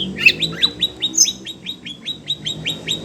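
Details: Caged Oriental magpie-robin (kacer), agitated at hearing other birds, opens with varied whistles, then repeats a short rising whistle about two to three times per second.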